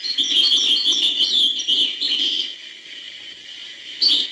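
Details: European goldfinch singing hbal style: an unbroken run of rapid, high tinkling twitters for over two seconds, then quiet, then one more short burst.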